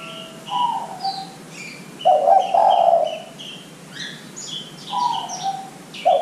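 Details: Lure recording of a spotted dove to make young doves call quickly: deep, burry coos in a hesitant sequence, the loudest phrase near the middle, while small birds twitter high above.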